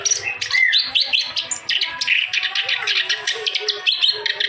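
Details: Continuously singing clamorous reed warbler (kerak basi), played to encourage birds that sing little or have gone quiet; brisk, rasping chatter of short notes with occasional rising squeaky whistles.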